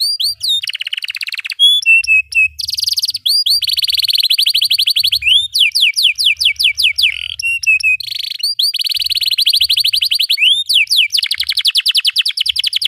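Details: Captive canary singing continuously as tutor material for young canaries: alternating buzzy rolls, quick downslurred notes and runs of rising whistles, each phrase lasting one to two seconds, loud and clean throughout.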